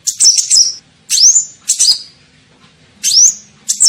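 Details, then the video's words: Kolibri ninja sunbird lure call: fast, high twitters alternating with loud, rising swept whistles, a quick burst roughly every second and a short pause before the final phrases. "SUARA PIKAT KOLIBRI NINJA"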